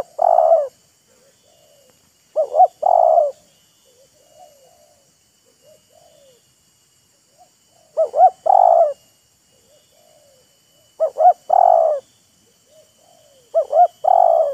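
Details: Wild spotted dove answering a decoy bird, the two taunting and enticing each other: five loud three-part coo phrases spread over the recording, with fainter softer coos from another dove in between.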